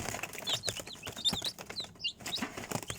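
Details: Chicks giving short high peeps, some rising and some falling, mixed with fluttering and scratching sounds and irregular clicks.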